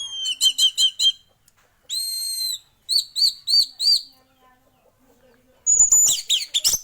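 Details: Male orange-headed thrush delivering ringing whistled phrases: a fast group of four, a longer sustained note, four spaced notes, then a burst of rapid scratchy chatter.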